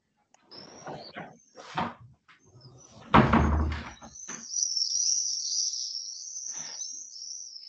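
A Common Swift gives a long, shrill, buzzy scream that holds high and steady for several seconds, after a woman's voice and some clunking handling noises.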